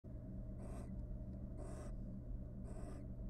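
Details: Wild barn owl pair at a monitored nest box, courting after raising three nestlings: three harsh, hissing screech bursts, each about a quarter second long and evenly spaced, over a steady low electrical hum.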